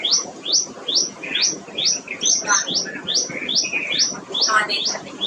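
A tailorbird repeats a loud, sharp, high chirp about twice a second, each note snapping upward; softer chirps from another bird sound underneath.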